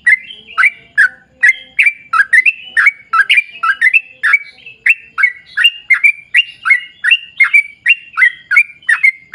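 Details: Sooty-headed bulbul in long rapid 'ropel panjang' song for drawing other bulbuls into song: unbroken sequence of bright, slurred chirps at a quick tempo, a faint low tone fading out midway.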